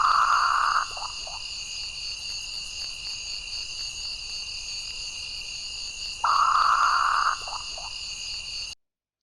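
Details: Northern Potoo, a species of Central America and the Caribbean, gives two hoarse, guttural, rasping bursts, each under a second and about five seconds apart, over a steady high insect drone; less mournful than common or great potoo calls.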